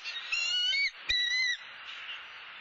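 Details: Wild bald eagle at a nest in Southwest Florida, filmed by a live nest camera as the male brings a soft-shelled turtle to the nest for the female: two high, thin whistled squeals with strong overtones over steady background hiss.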